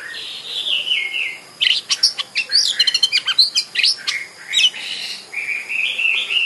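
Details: Oriental magpie-robin (kacer) in full lure song to provoke singing and tail-spreading; a warbled descending phrase, then dense rapid clicks, chirps and whistles, closing with a rising, wavering whistled phrase.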